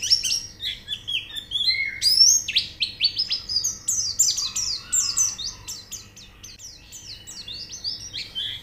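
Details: White-eye song played as training audio to get the bird singing: a dense, fast run of high twittering chirps and sweeping whistled notes, loud at first, then softer and quicker toward the end.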